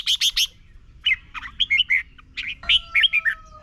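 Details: Singing red-whiskered bulbul, Thailand, a recording played daily to young birds so they learn quickly: three sharp chirps, then a run of warbled rising and falling notes and another quick chirpy phrase over a faint whistle.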